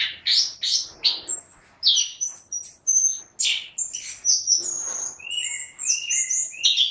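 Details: Vigorous orange-headed thrush song with varied fast phrases: harsh chattering bursts mixed with clear high whistles, gliding slurred notes and trilled runs, delivered almost without pause.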